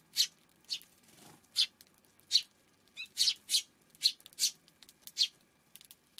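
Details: Afternoon of June 5: a Eurasian tree sparrow chirps about ten times in six seconds, harsh clipped notes, some bunched in quick pairs, with a soft low rumble behind.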